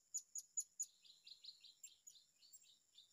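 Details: Blue-crowned hanging parrot found at a new wild site gives four loud, piercing high chirps in quick succession. A run of softer, lower twittering notes follows, with insects buzzing steadily behind.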